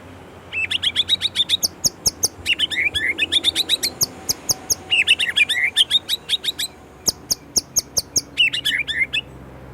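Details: Indonesian white-rumped shama delivering bursts of rapid, high, chattering trills, each lasting one to two seconds and separated by brief pauses, mixed with sharp clicking notes.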